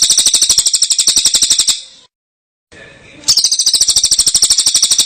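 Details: Long-tailed shrike song for training other birds, full of fill phrases: very high, rapid buzzy trill, a brief silent cut, then the same fast insect-like trill returns.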